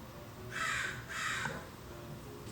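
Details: An American crow in a California backyard, recorded from inside the house, gives two harsh, hoarse downslurred caws about half a second apart over quiet background hiss. Crows here are plentiful and call morning and evening.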